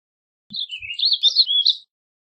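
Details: Warbling vireo song: one brief, rapid warble of slurred notes rising and falling, lasting just over a second against a clean, quiet background.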